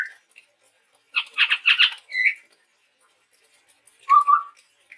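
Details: Male chestnut-rumped babbler of Sumatran forest: a short whistle, then a rapid run of four rasping chatter notes, a slurred whistle, and after a pause a low rising whistled note.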